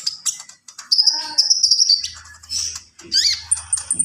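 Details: Javan pied starling (konin) in full, varied song: dense high chirps and sustained whistles, harmonic stacked notes mid-clip, rising slurred whistles near the end, with a low hum underneath.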